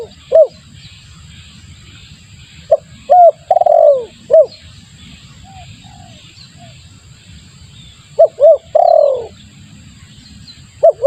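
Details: Spotted dove used as a lure call: short rising-falling coos followed by a drawn-out falling purr, in scattered bursts with long quiet gaps; soft distant bird chirps and low rumble behind.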